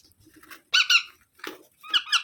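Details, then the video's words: Baby parrot giving two loud, grating squeaks in quick succession, then softer rasping calls after brief pauses, with faint background rustling. "Baby Parrot Sounds"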